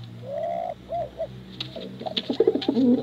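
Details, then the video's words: Competition pigeon, male or female, giving one long smooth rising coo and two short arched coos over a low hum, then a busy cluster of throaty, quavering coos from several birds. "Suara Bekuran Burung Merpati Lomba Hutan Dara"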